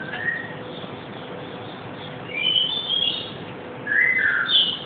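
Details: Pet black-capped lory, a male captive parrot, making noises while being played with indoors: a few scattered high, whistled chirps and short squeaky bursts over a quiet room hum.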